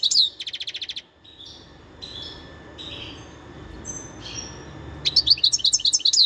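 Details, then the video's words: Wild goldfinch from 2021: a rapid high rattle opens the clip, several thin, softer notes follow through the middle, and a burst of bright chirping twitters comes at the close. "تغريد الحسون البري"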